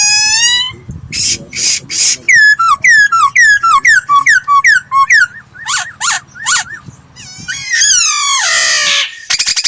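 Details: Training song of a laughingthrush for voice practice: a run of rapid, downslurred whistles repeated about twice a second, mixed with buzzy bursts and a rich rising flourish near the end.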